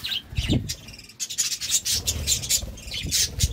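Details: Courting budgerigars chattering almost continuously: grating, buzzy high notes mixed with brief squeaky chirps and low rustling sounds.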